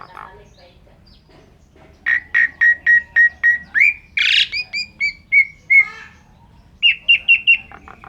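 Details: Asian pied starling in 'gacor' song with 'isian' fill phrases. After a quiet start comes a series of short sharp chips, then a harsh burst, level whistles and a final cluster of quick notes.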